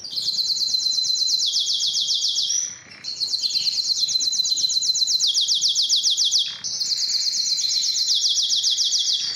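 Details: Belgian canary song meant to stimulate hens to breed: three long, rapid, high trills of evenly repeated notes, separated by short pauses.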